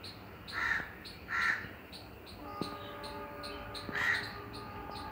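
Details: Harsh crow caws, two early and one later, separated by pauses, with rapid high chips repeating in the background and a steady tonal hum entering midway.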